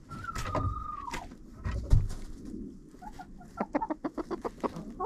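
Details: Chickens in a coop, filmed on a GoPro set inside: a drawn-out, slightly falling squawk early, then a run of quick, evenly spaced clucks near the end, with thumps and scratching underneath.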